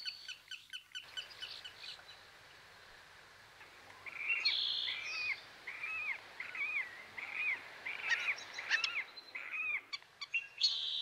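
Black-necked Stilt giving a quick series of sharp, yapping notes, about one or two per second, high-pitched and slightly nasal, with other bird chatter faintly behind.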